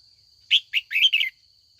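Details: Female red-whiskered bulbul calling in the afternoon to provoke older wild-caught males into competitive song; one quick phrase of four bright, warbling notes, the last two run together, over a steady thin high whine.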